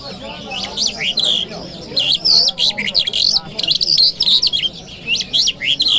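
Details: Song of a lark, the Jal Mashhadi, in Kabul city on a Friday morning: an almost unbroken run of high, shifting whistles and quick chirped notes, rising and falling in short bursts.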